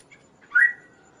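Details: A single kaso-kaso note, used as a model for songbirds and as a lure: a brief clear whistle that jumps up sharply, then trails off as a falling, fading tone.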